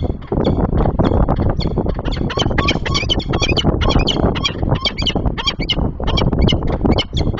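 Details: Female peregrine falcon chasing an intruding falcon away from its nest box and hunting ground outside the breeding season, 28 September 2024. Harsh, rapid, repeated cackling notes run almost continuously over a heavy low rumble of wind.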